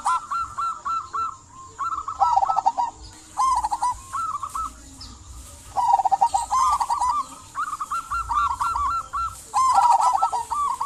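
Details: Local zebra dove in energetic song to prompt quiet doves to sing; nearly continuous chains of rolling, rippling coo notes, some phrases stepping slightly higher, broken by brief pauses, against a faint steady hiss.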